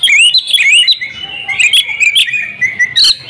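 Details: Female oriental magpie-robin, a kept house bird, singing sweet whistled upslurred phrases with a steady high tone behind, repeated quickly.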